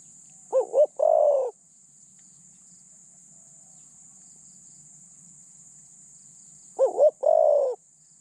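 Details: Close, loud cooing from a decoy spotted dove used to catch other doves: two phrases several seconds apart, each two quick rising notes then a full falling coo, with a high steady insect hum behind.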